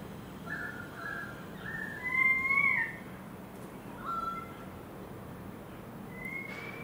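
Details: Currawongs singing in a suburban garden in Enmore, New South Wales: clear whistled phrases, one rising and bending note around two seconds in, with shorter whistles and slurred notes later over a steady low hum.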